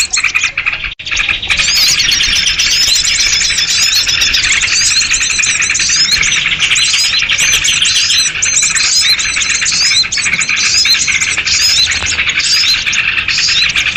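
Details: Ruckus of sooty-headed bulbuls, used to lure small birds for trapping. A dense, unbroken wall of chirps and whistled slurs from many birds, with a brief quieter moment near the start.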